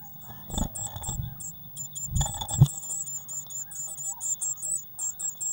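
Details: Eurasian blue tit calls from a nest box on 19 May 2019, during feeding after the feeder was filled with waxworms: rapid, very high, thin squeaks repeated many times, with low thumps and scuffling inside the box.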